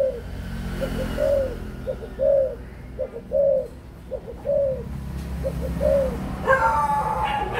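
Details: Rhythmic cooing of an adult spotted dove, short double pickup notes leading into a rich falling coo, repeated about every second; a brief burst of sharper, higher sound enters near the end.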